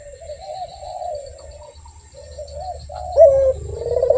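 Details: Barbary dove in full voice, cooing melodiously: soft low coos that waver and roll, followed by a louder sharp note and a sliding rolled coo near the end.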